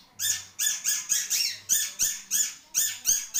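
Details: Caged long-tailed shrike pouring out rapid, harsh, rasping notes, about three per second, evenly spaced and loud.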